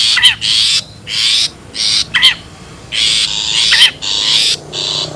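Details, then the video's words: Long-tailed shrike from the wild, used as a bird lure. Scratchy, rasping bursts alternate with quick bouncing, nasal notes that curl down. About six phrases in five seconds over faint background noise. "SUARA ASLI PIKAT CENDET,PENTET ALAM LIAR"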